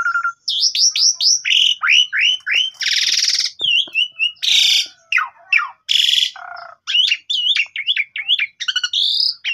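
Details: Javan pied starling song on a phone recording, played mornings to coax a silent bird into singing: rapid varied whistles mixed with loud harsh grating bursts and squeaky twisting phrases, nearly continuous.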